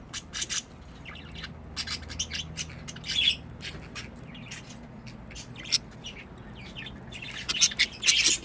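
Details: Several pet budgerigars give scattered sharp chirps, brief squawks and scratchy twitters at irregular intervals, with a low hum underneath.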